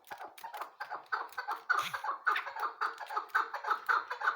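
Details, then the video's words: Chukar partridge calling, a recording played as a hunting call: harsh clucking notes repeated steadily about twice a second, gradually building in strength, with a brief low sound near the middle. "porna chakor k bacha ki yad ko taza krta hia full shikari awaz video keklik sesi"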